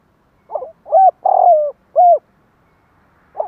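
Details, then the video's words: Spotted dove cooing to stimulate and draw in other doves: a soft short note, then three low mellow coos, the middle one longest and falling, a pause, and another soft note, in quiet surroundings. "Tiếng Chim cu gáy kích bổi nhanh nổi"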